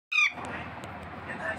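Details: Talking parrot giving one harsh, harmonic-rich squawk lasting about a fifth of a second, followed by quieter room noise and faint clicks.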